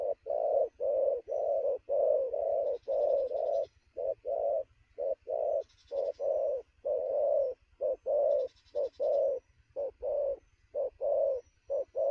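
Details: At noon, a very lively newly caught spotted dove coos rapidly: a long run of loud, low, hollow coos mixing short and drawn-out notes at an even fast pace, with occasional high buzzy chirps and faint low hum.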